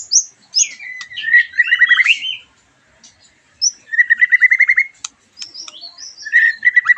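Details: After-moult white-rumped shama song: high whistled notes followed by rapid, evenly repeated rattling series, three phrases separated by short gaps.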